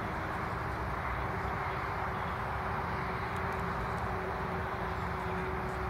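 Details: Continuous roar of road traffic with a faint steady tone and no distinct bird calls.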